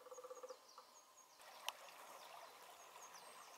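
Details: A lesser spotted woodpecker drums on the high branches of a poplar grove: a brief, rapid roll of about eight even taps in half a second. Thin, high bird notes and a single sharp click follow.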